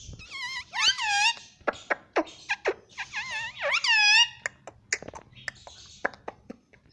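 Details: Pet parrot talking, mimicking "mummy papa": a rapid run of loud, harmonic, speech-like syllables with swooping pitch, mixed with sharp clicks and taps. The syllables fade into softer clicks toward the end.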